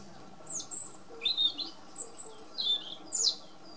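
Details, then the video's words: European robin singing: a run of high, thin, varied phrases of sliding whistles and rapid twittering notes, some dropping sharply in pitch, delivered in short bursts over about four seconds against a faint low background hum. "Erithacus rubecula Κοκκινολαιμης κελαηδημα"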